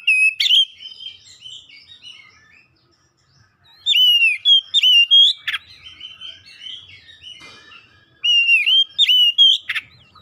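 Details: Oriental magpie-robin, including home-kept birds, singing to prompt others: three loud bursts of varied whistles, twisting slurs and sharp clicks, with quieter warbling between them.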